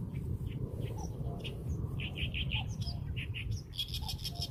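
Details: Birdsong of short clear chirps, some in quick runs of three or four notes, ending in a dense burst of high twittering, with low background rumble throughout.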